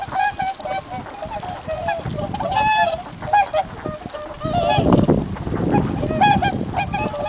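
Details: A group of swans calling at Abukuma Shinsui Park, Japan, giving repeated nasal honking and trumpeting notes that overlap one another, with bursts of low rumbling background noise.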